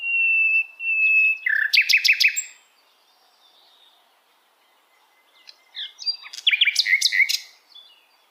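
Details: Sikatan londo, a nightingale, singing in the wild: a level whistled note followed by a rapid rattling burst of sharp notes, a pause of near silence, then another whistle and rattling burst.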